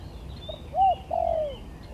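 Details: Spotted dove cooing in a contest: a short soft note, then two arched coos, the second long and falling, over steady low background noise.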